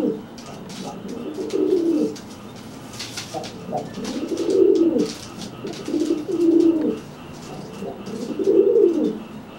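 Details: Threat cooing by a dry pigeon toward a wet one after a bath, the cooer making itself look bigger; deep rounded coos rising and falling, five phrases, some scuffling and faint voices behind.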